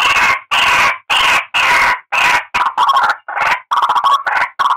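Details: White-breasted waterhen lure call: loud, harsh, drawn-out croaks about every half second, giving way to faster, broken, stuttering notes toward the end.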